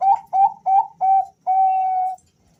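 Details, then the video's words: Male Bangkok-type zebra doves exchanging calls: four short, slightly rising whistled notes spaced about a third of a second apart, then one long, steady drawn-out coo. "suara panggilan dua perkutut Jantan saling Bersahutan"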